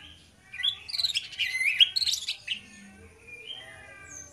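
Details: Two orange-headed thrushes singing in the loud, open ngeplong style: a burst of high, varied whistled phrases and slurred notes for about two seconds, then quieter, sparser notes with a faint low hum underneath.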